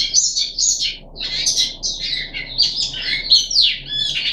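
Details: Puff-backed bulbul in captivity on the third day of deworming, July 2021, singing loud, bright warbled phrases with buzzy, rich slurs separated by brief pauses.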